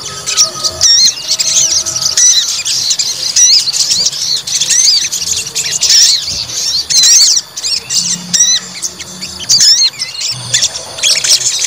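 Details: White-rumped shama provoked to fight: repeated high phrases of quick chattering notes and clear whistled slurs, in bursts separated by short pauses.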